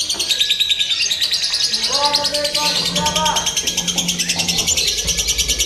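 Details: Lovebirds trilling in a simulated singing contest used for mental training: continuous piercing chatter in fast pulses, overlaid by human speech and a short hummed tone midway.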